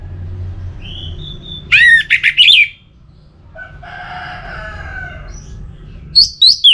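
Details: Orange-headed thrush (anis merah) song meant to stimulate other birds to sing: a thin high whistle, then a burst of loud sharp chirps, softer lower warbling in the middle, and a few piercing notes at the end.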